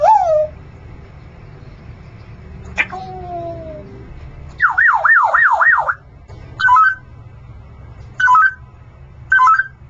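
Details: A pet Congo African grey parrot, kept on a perch in a scuba diving shop by day, gives a falling whistle, a pop and a sliding tone, then a fast siren-like warble and three short chirps over a low hum.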